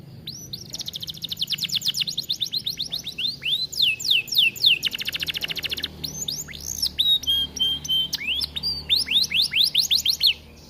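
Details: Vigorous song of a caged Atlantic canary in an aviary, meant for tutoring other canaries: long run of rapid trills, each a string of sharp falling notes, mixed with curved whistles, a buzzy block and level whistled notes, continuous for ten seconds.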